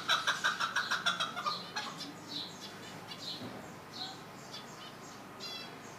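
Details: A chukar partridge gives a fast run of harsh, clucking notes, about six a second, then trails off into softer scattered chirps.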